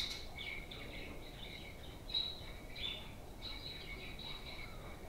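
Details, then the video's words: Playful pet budgerigars chatter in a steady stream of thin, high chirps and short warbled notes, overlapping with little pause, over a faint background hiss. "Playful Parakeets"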